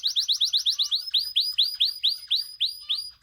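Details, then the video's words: Canary song, white and crested pet birds: a crisp series of quick rising chirps, then slower, louder upswept whistled notes repeated roughly every quarter second, clean and bright with no background noise. "White canary and crusted canary are signing very nice"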